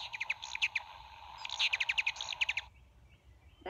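Ruby-throated Hummingbird chatter: two bursts of quick, high, squeaky chips over a steady low hum, then a quiet pause.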